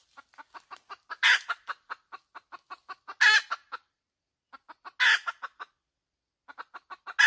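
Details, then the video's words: Hen calling in cackles, with rapid clucks rising into loud, rough squawks four times, separated by short silences. "Suab poj qaib tsauj dib tuaj zoo heev"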